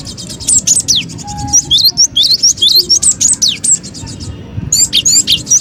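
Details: Cinereous tit, lively lure call for trapping birds: busy stream of high, thin chirps and slurred whistles sweeping up and down, mixed with rapid ticking trills, about two notes a second, over a low steady hum.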